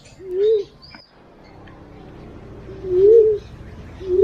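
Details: Green pigeon call used as a lure, two low wavering whistled coos a few seconds apart, each swelling then dropping, with a brief high chirp from another bird between them.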